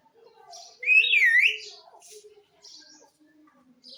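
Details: Talking parrot with one loud, wavy, warbling whistle that rises and falls for about a second, surrounded by soft low murmurs and faint high chirps.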